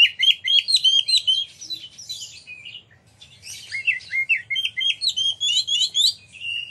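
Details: Fast, lively magpie-robin song meant to draw other birds into singing and display, with quick twittering notes in a rising run, a short gap, then another fast run of chirps and whistles.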